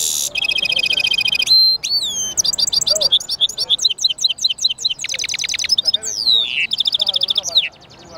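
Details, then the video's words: Singing European goldfinch mule delivers a bright, unbroken stream of buzzy trills, clipped twittering notes and sharply falling whistles, the phrases changing every second or so over a quiet background. "European Goldfinch mule singing"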